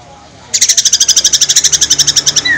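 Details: White-rumped shama singing to provoke rival shamas into responding. After a quiet start, a rapid, even, high-pitched rattle of sharp repeated notes continues for about two seconds, ending in a short rising whistle.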